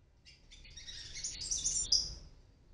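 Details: Palm tanager fledglings making their first flights from a nest in an oregano plant on a 9th-floor apartment in Medellín, Colombia: thin, high, squeaky chips in a rapid jumble that builds and fades, faint low rumble.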